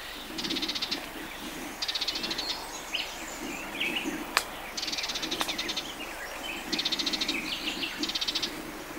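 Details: June 2011 along the Matarraña: a Sardinian warbler rattles in dry, stuttering bursts of about a second, several in sequence, with two sharp clicks and a soft low drone in the background.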